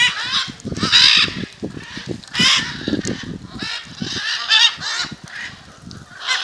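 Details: A macaw gathering in front of a house, Jaumave, Tamaulipas, February 2015: loud grating shrieks in rapid, overlapping succession, with low knocking and rustling noises beneath during the first four seconds.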